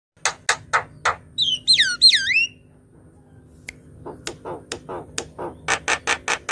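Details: Javan myna in lively gacor song, used to lure birds and stir silent ones to sing: harsh rasping bursts in a quick series, a cluster of wavering whistled notes, then more short buzzy rasps.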